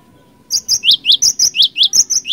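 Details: Energetic Cinereous tit ngerol ngeplong song for luring: around ten loud, clipped notes in steady rhythm, each pair pairing a very high tone with a lower downslurred chip.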